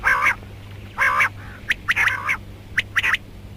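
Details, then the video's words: Female rain quail giving two drawn-out, harsh nasal calls followed by a cluster of quick clipped squawks, all within a few seconds, over a faint low hum; from a karkari mix. "Female Rain Quail Calling Batair Ki Awaz"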